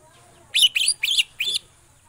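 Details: Greater green leafbird (cucak ijo), a kept songbird in Indonesia, giving four quick loud bursts of sharp, harsh chattering notes in about one second, each a rapid descending-ascending twitter.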